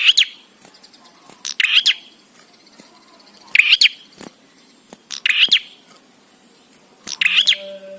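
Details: Bar-winged prinia singing, meant to spur prinias into song: harsh, chattering bursts with clicks in an uneven series of five phrases, and a faint tonal note near the end.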